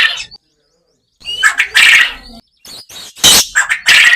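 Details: Farm quail recorded in a natural environment give harsh, raspy, high-pitched bursts in quick irregular runs, broken by short pauses, with some squeaky chirps mixed in.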